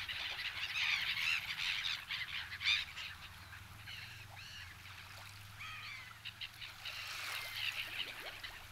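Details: Flock of black-headed gulls in winter at Kasumigaura Park, Tsuchiura, Japan, being fed by people: many overlapping harsh, slurred squawking calls from several birds, dense at first then more scattered, over a low steady background rumble.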